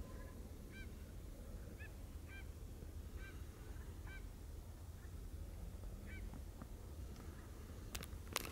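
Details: Black Brant at Burghsluis, the Netherlands: faint, short nasal honks repeated at irregular intervals of about a second over a steady low rumble of wind or surf.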